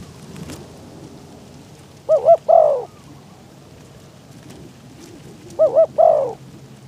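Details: Spotted dove calling as a decoy to attract wild birds during trapping in strong wind. Two phrases a few seconds apart, each a double coo followed by a lengthened downward coo, with gusty wind and scattered knocks behind.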